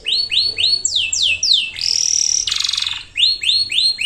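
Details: Canary in full song, used to prompt lazy or young birds to sing: a series of upward-sweeping chirps, then fast descending notes, a sustained buzzy trill and a dense rattling roll, before the rising chirps return.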